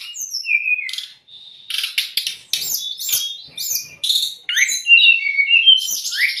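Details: Tutoring song of a brown-chested jungle flycatcher for raw or stressed cage birds: rapid series of sharp chips and swooping whistles, then a busy run of twisting, warbled notes.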